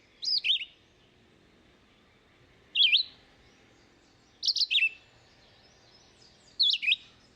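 Red-eyed Vireo song: short, slurred whistled phrases, each rising or falling, repeated about every two seconds with pauses between, over a quiet background.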